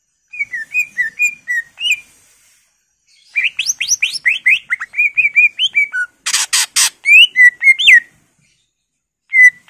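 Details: Greater green leafbird pouring out its full repertoire as a lure for other birds: sequences of whistled, slurred and chirping notes with a harsh buzzy rattle near the middle, separated by brief silences.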